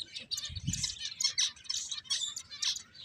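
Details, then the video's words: High chirps from finches at play come in quick, busy clusters about every half second, several birds overlapping, with one soft low thump early on. "Cute Birds Chirping Sounds | Beautiful Finches Playing"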